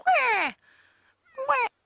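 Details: Grey go-away-birds give frantic alarm calls at a pair of African hawk eagles on an African safari drive: two loud, nasal, downward-slurring 'gwaay' cries, a long one then a shorter one, with a faint call between.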